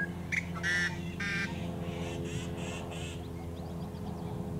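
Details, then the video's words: Yellow-headed blackbird at Great Salt Lake wetlands in summer, giving raspy, harsh buzzy bursts, several short rasping notes within three seconds, over a steady low hum. "Calls Of The Yellow-Headed Blackbird"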